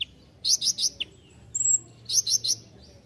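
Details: Sunbird known as kolibri ninja, recorded as a master track for training songbirds, giving groups of three loud, piercing, high chirps twice, with a brief thin whistle between the groups.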